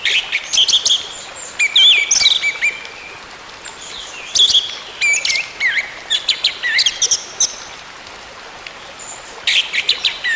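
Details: Orange-headed thrush song aimed at getting a silent bird to sing again: scattered bursts of chirps, buzzy notes and short whistled slurs, with a quieter gap before a final loud flourish.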